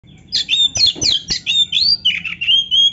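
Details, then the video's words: Oriental magpie-robin in full song, played to stir lazy caged birds into singing: a rapid run of loud, sweet whistled notes and sharp slurred phrases, high-pitched and varied, with brief pauses between bursts. "TERAPI KACER GACOR DONGKRAK BIRAHI DAN EMOSI BUAT KACER MALAS BUNYI"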